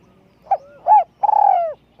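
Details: Single phrase from a spotted dove kept for luring, with a small, light voice: a brief soft note, a clear rising-falling coo, then a long trilled note that slides gently downward.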